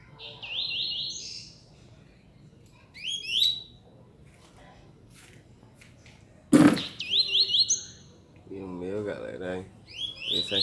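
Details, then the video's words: Two caged Double-collared seedeaters in a singing duel on 4 June 2019 trade quick phrases of high, buzzy, rising notes in short bursts every few seconds; a sharp knock and a man talking in Portuguese interrupt. "Coleiro vs Baiano"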